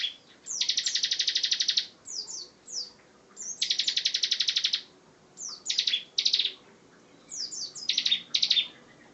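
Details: Bar-winged prinia, called ciblek, in lively song: long dry rattling trills of evenly spaced rapid notes, broken by quick downslurred chips and short buzzy phrases, repeated in several bursts.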